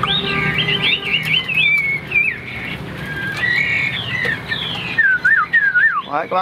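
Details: Pet Chinese hwamei in Vietnam giving bright whistled slurs and descending glides over a low steady hum, ending with a burst of quick rising notes.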